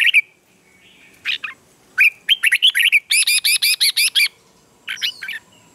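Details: Red-whiskered bulbul morning song for stirring wild-caught birds into heated duelling song: whistled phrases build into around nine harsh, buzzy notes in steady rhythm, followed by a final short chirpy burst.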